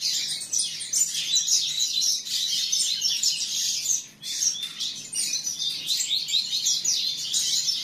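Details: Young canary, offspring of two named parents, delivering fast high trilling and twittering phrases, with a short dip and near-pause around the fourth second before the song resumes just as dense.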